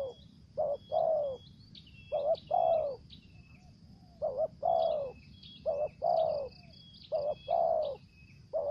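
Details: Captive spotted dove kept as a lure bird, calling in the thổ dế style with dập, also the mai rừng style: about five phrases, each a short low note followed by a longer, downslurred coo. Thin high chirping from other birds runs behind it.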